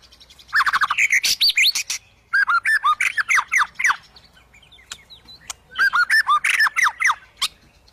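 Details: Agitated white-rumped shama, worked up and looking to fight a rival, pouring out three loud bursts of rapid, varied phrases: harsh squawks, sharp chips and quick rising whistles, separated by short pauses.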